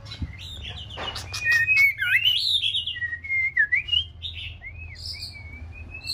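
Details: Six-month-old female white-rumped shama rehearsing song: a dry rattle, then a flowing warble of whistles and quick twisting notes ending in long thin rising whistles, low hum behind.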